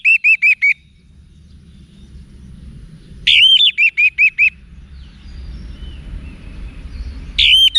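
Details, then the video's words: Cage-bird training song of an orange-headed thrush in wiksar style. It has three bursts of evenly spaced, sharp, ringing whistled notes, five to seven notes in each burst, with quiet gaps and a faint low hum between them. "ANIS MERAH Manapun Bakal Nyaut Berani Untuk Figther Saat Didengarkan Kicauan Wiksar Ini"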